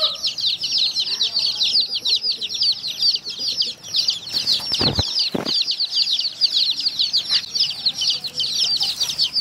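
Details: Baby chicks at their drinking water keep up a nonstop chorus of high, overlapping cheeps, interrupted midway by two loud clattering knocks.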